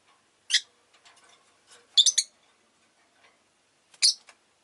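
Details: Pet Rosy-faced lovebirds, all fairly noisy that day: a shrill chirp, then a quick double and triple burst of sharp high notes, and a final loud chirp, with soft ticking sounds between.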